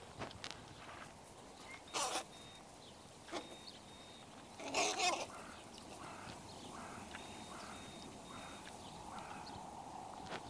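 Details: A crowd of young crows, this year's late but unusually numerous offspring, quarrel beside a zoo window. Harsh, noisy bursts come near two and five seconds, with fainter scratchy calls between, over steady background hiss.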